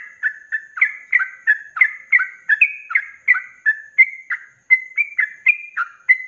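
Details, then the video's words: Rapid 'ropelan' singing of a sooty-headed bulbul, a tutor recording for caged songbirds: around twenty quick, rich, slurred notes in steady succession, each dipping then rising, with one brief pause near the middle. "SUARA ROPELAN BURUNG TRUCUK GACOR||COCOK BUAT MASTERAN"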